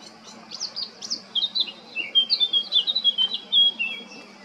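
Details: Summer song of a male Eurasian blackcap, recorded 20 July 2022 in Baška on Krk, Croatia: soft introductory chatter rising into a loud, hurried series of clear warbled whistles.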